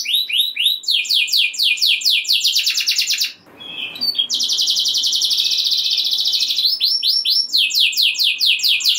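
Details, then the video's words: Singing canary whose rolling song is meant to excite other canaries into singing: rapid descending syllables, then a long dense buzzy trill after a brief pause, ending in repeated swooping notes. "Kenari Gacor Ngeroll Nembak Joss! Buat Naikin Emosi Kenari Lain Biar Gacor Ngedur Ngerek"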